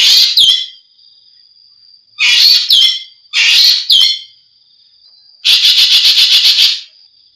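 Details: Green magpie giving loud, shrill, harsh bursts: a short call, then two rasping notes about a second apart, and a longer rapid stuttering burst near the end, with a thin steady high tone running between calls.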